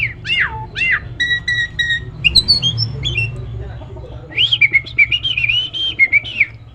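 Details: Nias hill myna, tame and singing freely, recorded as training audio to coax quiet birds into song: loud, rich, downward-swooping whistles, then short repeated notes and a long wavering whistled phrase over a low hum.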